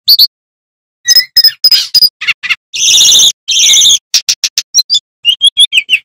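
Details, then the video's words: Male flycatcher known locally as Tledekan Gunung, singing loudly: isolated sharp chirps, then two longer harsh buzzy phrases, followed by a run of rapid high ticking notes. "Sikatan Bambu Gacor Bongkar Isian"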